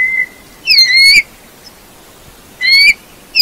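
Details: Eurasian bullfinches: soft, mournful piping notes, each sliding slightly upward, delivered in two clear bursts against a faint hissing background.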